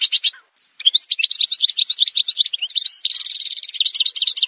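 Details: Song of the Algerian goldfinch from a montage: a brief twitter, a short gap, then a sustained, quick run of tinkling, chattering notes and buzzy rolled trills lasting over three seconds.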